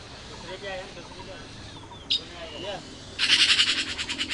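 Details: Red-billed blue magpie nestlings in the nest, being fed by their parents, break into loud, raspy, rapidly pulsed begging calls, about eight a second, after a few quiet, soft sounds and a single click.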